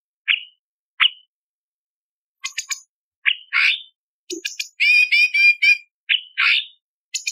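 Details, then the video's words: Light-vented bulbul song for training other songbirds: scattered upslurred whistles, clusters of high ticks, a single low short note, then a run of buzzy harmonic notes and rough chattering bursts, irregularly spaced. Nothing else audible. "Masteran Cucak Cungkok Istimewa ~Isian Variasi - Tajam Pedas For Murai CIjo Kacer Cendet Anis Pleci"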